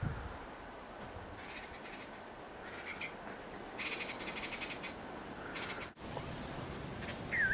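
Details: Young red-vented bulbul in Hawaii, its vent not yet red. Short harsh, buzzy bursts of chatter come in separate groups over quiet background hiss, with a brief clearer note at the very end.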